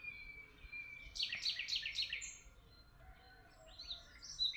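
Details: Birds in Tuzla give a short burst of quick, repeated high chirps, followed by a quieter spell and a few scattered sliding notes over soft background noise.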